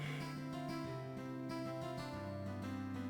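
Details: Steady guitar-led music with sustained harmonic tones fills the clip, and no animal sound can be picked out.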